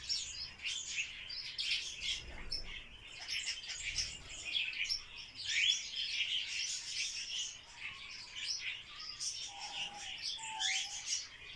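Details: A captive barred warbler during its courtship dance gives dense, scratchy, high chattering that runs without pause, with a few lower whistled notes near the end, possibly from other birds.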